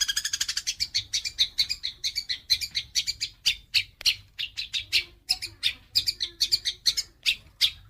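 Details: House sparrows in a fight, captured as songbird training material: a fast burst of chirps opens, then loud, sharp, irregular chirps follow one after another, some doubled.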